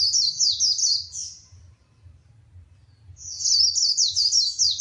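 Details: Female white-eye goading a male to sing: two bursts of very high, rapid jumbled twittering separated by about two seconds of near-silence, faint low hum throughout.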